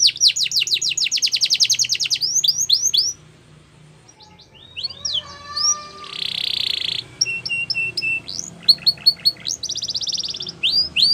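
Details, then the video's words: Singing canary, played to encourage other canaries to sing along; rapid sweeping whistled notes and a dense buzzy roll, with a quieter pause around three seconds before varied trills resume. "All The Canaries Will Sing Along After Hearing This Canary Chirp"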